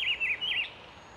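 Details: Rufous-browed peppershrike (Cyclarhis gujanensis) singing at 08:30 on 17 August 2024 in Itatiba, São Paulo, Brazil: a rich, rolling warble of three quick looping notes in under a second, mid-pitched and clear, over faint background hiss.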